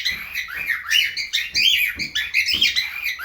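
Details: Aviary cockatiels in breeding mood give a steady stream of chirping, arched whistled notes and squeaky twitters, with multiple birds overlapping throughout.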